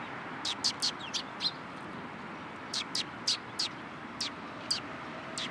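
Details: Sparrows gathering in a cherry tree at a Tenmangu shrine on 21 March 2023, giving short high chirps in scattered bursts, some doubled, with quiet gaps between and a soft steady background hiss.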